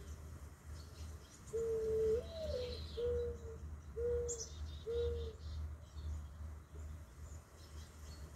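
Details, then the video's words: Low mournful cooing of a mourning dove: one drawn-out note rising at its end, followed by three even, hollow coos spaced about a second apart, with a sharp high chirp from another bird and steady low rumbling behind. "Mourning dove part 1. Beautiful bird with a beautiful song."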